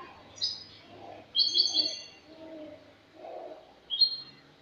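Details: Spanish European goldfinch singing a clean-style song (cante limpio), recorded 22 August 2018: short bright twittering bursts, high and trilled, in three separate phrases with quiet pauses between them.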